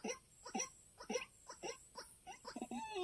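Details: A white-breasted waterhen call, used as a trapping lure under oil palm trees, gives harsh, nasal croaking notes about twice a second, rough and uneven in rhythm, with a faint steady hiss behind.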